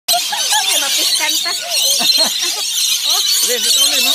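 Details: Lorikeets in Wollongong, NSW, keep up a harsh, shrill screeching and chattering, loud and unbroken, with bursts of squeaky notes layered throughout.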